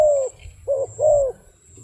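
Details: Wild dove giving three soft, low, mellow coos, each gently falling in pitch, the first long, then a gap and two closely spaced coos, over a steady low hum and a faint high whine.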